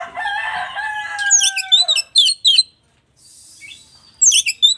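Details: West Javan type oriental magpie-robin singing a song said to rile other magpie-robins; a long harmonic descending note opens, then bursts of sharp high chattering notes, a brief pause, and more high chirped phrases.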